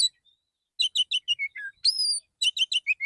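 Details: Morning song of a male white-rumped shama, relaxed and calling other shamas: a rapid series of sharp chips and falling notes, then a long clear high whistle, followed by more quick chips.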